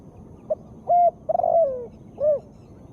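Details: Cooing of a female spotted dove, played to prompt reluctant birds to respond. A soft short note, then a clipped coo, a longer coo that falls away, and a final arched hoot, all low and mellow.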